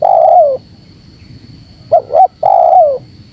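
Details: Provoking call of a spotted dove aimed at wild birds: a long descending coo, a pause, then a clipped double coo and another long falling coo, all mellow and low, with a faint high hum.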